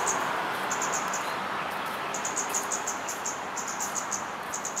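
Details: A male Scarlet-backed flowerpecker, perched openly in Singapore, gives very high, thin, metallic staccato ticking notes in quick runs of three or four, over a steady background hiss.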